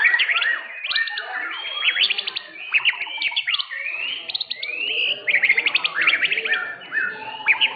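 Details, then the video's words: White-rumped shama of the blorok type competing in an Indonesian singing contest and winning first place, delivering loud rich song of swooping whistles, rising slurs and rattling rapid note runs amid overlapping birds. "JUARA 1 KELAS MURAI BATU BLOROK"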